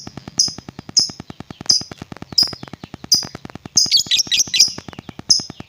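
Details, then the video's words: Lovebird vocalising, a sound meant to provoke other lovebirds: high sharp chirps repeat roughly every three-quarters of a second, with a brief burst of warbled notes midway, over steady rapid clicking throughout. "LOVEBIRD APAPUN BAKAL EMOSI DENGAR SUARA INI"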